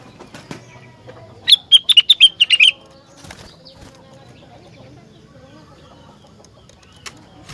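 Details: Rengganis, a caged bird, singing loudly. A single quick burst of about eight sharp, bright chirps lasts just over a second and drops slightly in pitch toward the end. Quiet background noise fills the rest.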